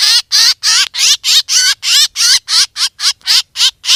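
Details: Lure recording of a black drongo for hunting: a continuous series of loud, rasping, slightly warbled notes delivered at a regular pace of about three per second.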